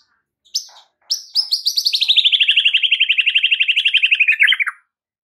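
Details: White-rumped shama master song for training caged birds, a long rapid trill of harsh high notes, about four per second, sliding slowly downward before stopping.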